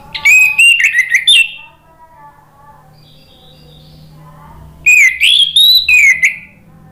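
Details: Orange-headed thrush, caged, serving as a lure to stimulate singing: a whistled, warbling phrase over a second long, three seconds of soft hum, then another rising whistled phrase with several slurred notes.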